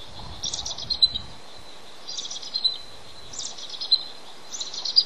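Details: Male bald eagle incubating eggs on the nest, calling for his mate to come relieve him. Four bursts of high, thin chittering notes, each a quick rising whistle that breaks into a chatter, spaced about every one and a half seconds over a faint background hiss.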